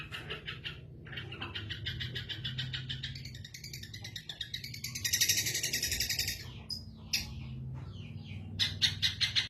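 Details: Lively singing from a caged long-tailed shrike after its cover comes off: dense, continuous high chattering and buzzy trills swelling to a loud rapid burst midway, then sharp chirps, over a low droning hum.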